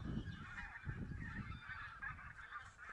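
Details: Wild geese counted in Silesia, 11-13 November 2016, in mixed flocks of Barnacle, White-fronted, Greylag and Bean Geese; dense overlapping honks and nasal chatter from many birds run continuously, over steady low rumbling wind noise.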